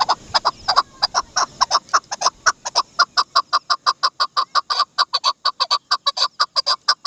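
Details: Chukar partridge, known locally as dasi chakor, calling a fast, steady run of sharp clucking chak notes, nearly three per second, continuing without pause throughout.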